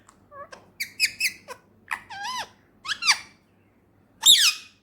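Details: Talking male Indian ringneck parakeet kept as a pet, uttering a string of short, clear, tonal syllables with bending pitch, like clipped words. A louder, harsher squawk-like phrase ends the sequence, and the indoor room is quiet.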